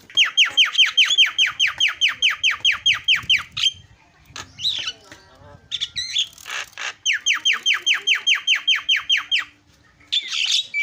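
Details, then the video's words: Starling sound used to goad a silent bird into song: two long runs of rapid, downward-sweeping notes, roughly two and a half per second, separated by a spell of mixed scratchy chatter. "SEKALI PENCET JALAK LANGSUNG PADA CEREWET"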